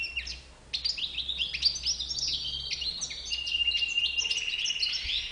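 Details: European goldfinch with a white bib starting after a short silence into bright chirping twitters, then a sustained buzzy trill of repeated notes.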